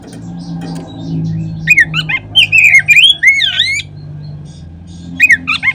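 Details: Lure song of an Oriental magpie-robin, meant to make other magpie-robins sing: after a quiet start, a burst of looping whistled slurs rising and falling, a pause, then a shorter burst of sharp chirps near the end.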